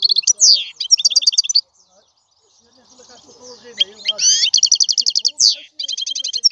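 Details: Twittering European goldfinch song in two bursts of rapid trills and downward slurs, separated by a quiet gap with a faint low murmur, then resuming strongly.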